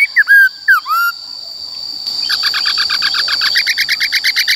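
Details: ['Forest-style singing of a White-cheeked laughingthrush, meant to train young and wild-caught birds: a few loud downward-slurred whistles, a pause, then a quick, softer series of evenly spaced chirping notes, with a steady high tone underneath.']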